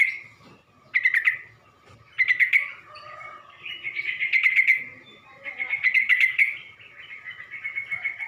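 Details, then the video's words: Sooty-headed bulbul lure, meant to provoke rival bulbuls. Bursts of rapid, buzzy chattering notes recur every second or so, separated by softer sustained whistles and faint low rumbling. "Burung trucuk manapun gak bakal diam kalo dengar pancingan ini"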